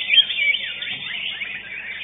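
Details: A greater green leafbird, first-place winner at a songbird contest, pours out a fast, unbroken run of bright, high warbles and quick sweeping whistles with no pauses.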